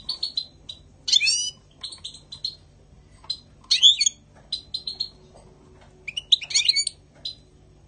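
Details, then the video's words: European goldfinch in spring giving scattered bright chirps and short buzzy, twittering bursts separated by brief pauses, with louder rasping notes recurring about every two to three seconds. "Chant chardonneret 2020 spring Carduelis"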